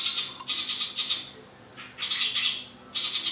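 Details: A ciblek papua's rattling 'ngebren' shots, a master song for contest birds: three groups of raspy, buzzy high pulses, each lasting about a second, separated by short quiet pauses.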